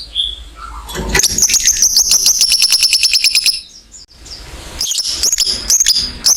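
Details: Long ngekek trill from a lovebird, meant to spur other lovebirds into song: a few scattered chirps, then a fast, shrill, regular chatter for over two seconds, followed by broken bursts of sharp notes.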